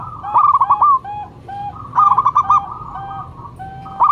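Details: Local zebra dove in full voice, its calls used as a lure to draw and prompt other doves: repeated bursts of quick stuttering coos. Softer, lower sustained coo notes sit between the bursts.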